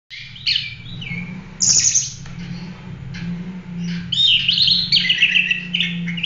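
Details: Oriental magpie-robin singing a full, continuous song meant for training other birds: varied whistled and chattering phrases, some sweeping down from high notes, over a steady low hum in the background.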